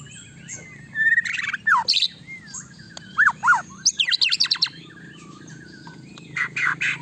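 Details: White-rumped shama singing to provoke a quick reply from another shama: varied whistles, slurred phrases and rapid chattered bursts over a steady low hum.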